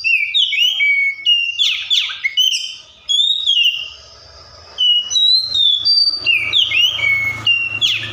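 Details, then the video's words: Oriental magpie-robin copying other wild birds: a varied medley of sweeping, slurred and sustained whistles with sharp downward swoops, broken by a short quieter gap with low rumbling background. "COPSYCHUS SAULARIS SOUNDS LIKE THE WILD MAKES OTHER BIRDS SOUND"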